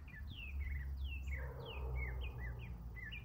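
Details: Morning song of a male northern mockingbird, a quick run of clear downslurred whistles and short chirps in varied phrases, with a low engine-like hum underneath.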